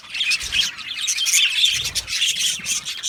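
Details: A budgerigar colony in an aviary gives raspy squawks and chirps layered over a constant high twitter from the rest of the flock.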